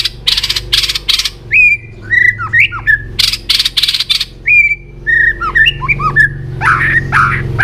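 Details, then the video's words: White-rumped shama training song for coaching varied, fast singing: rich whistled notes sliding up and down, interleaved with loud scratchy broadband bursts, over a low steady hum. "luyện chòe hót nhiều giọng.kích chòe lửa hót nhanh căng"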